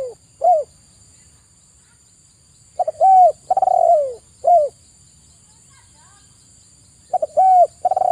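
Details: {'text': 'Repeated soft, low cooing of a spotted dove (tekukur). Each phrase is a stutter of short notes, a rounded coo, a long burred note that falls in pitch and a brief last coo, with quiet spells between phrases.'}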